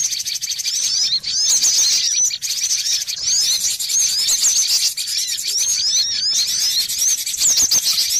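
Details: Noisy cinereous tit lure call: a busy, overlapping chatter of high, thin chirps and short sweeping notes, several birds calling at once without pause.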